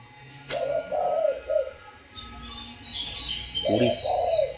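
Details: Spotted dove from a breeding-stock seller, cooing twice in hollow, mid-pitched phrases of three or four notes, the second phrase starting with a short rising lead-in. Faint higher chirps from other birds and a sharp click are heard between the phrases.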